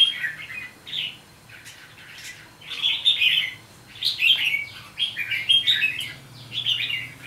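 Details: Red-whiskered bulbul from Hòa Bình, five days in, sings bright warbled phrases in bursts, short chirpy notes alternating with richer looping bubbling runs, pauses between phrases, with a faint low hum beneath.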